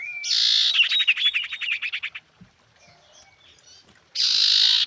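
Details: Female common iora calling to attract a male, used as a lure sound: harsh buzzy bursts at the start and end, with a fast rattling series of notes repeated several times a second in between.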